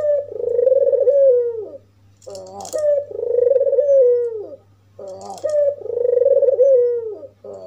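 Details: An albino, red-eyed white African collared dove, said to provoke other doves, gives a drawn-out purring coo that falls at the end, each preceded by a short rough note, repeating about every two and a half seconds.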